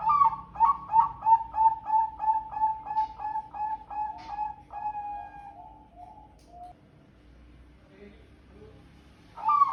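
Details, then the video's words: Zebra dove of the Bangkok type, singing a long, sharp and loud drawn-out phrase: about a dozen quick cooing notes at roughly two per second, ending in a longer fading note, a pause, then a new phrase beginning. "Tarikan Panjang Tajam & Keras, Suara Perkutut yang Bikin Merinding"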